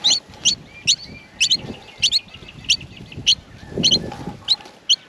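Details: Nestling Australian miners calling for food as they are fed, with sharp high squeaky notes, some doubled, repeated irregularly over a soft low rustling in the nest.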